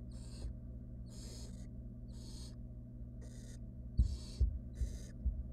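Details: In a wild barn owl nest box, nestlings respond as the female brings a rodent that one swallows quickly. Six short, noisy hissing screeches repeat rapidly, and scuffling knocks follow near the end.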